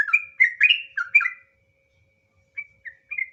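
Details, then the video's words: Sooty-headed bulbul in gacor ropel song, used as pancingan lure: a quick burst of tumbling whistled notes for over a second, then silence, followed by three short separate whistles. "suara asli burung trucukan, trucuk nggaruda ngropel"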